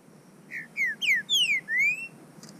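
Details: Loud, close Green-winged saltator (trinca-ferro) from a Brazilian captive breeder, out in the bush: one rich whistled phrase of five slurred notes, short ones falling, then a long fall and a final long rising whistle, on quiet background.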